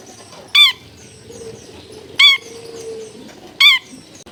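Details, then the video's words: Long-tailed shrike in clear, active song, offered as a lure for other shrikes to imitate: three short, grating high notes at uneven intervals of one to one and a half seconds, the background otherwise quiet. "CENDET GACOR FULL ISIAN MEWAH SUARA JERNIH MUDAH DITIRU CENDET APAPUN"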